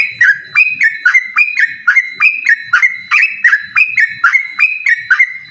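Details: Yellow-vented bulbul singing to challenge a rival in a ropel duel: a fast, even run of clear stepped whistles, each leaping up and dropping back, roughly four per second and very regular.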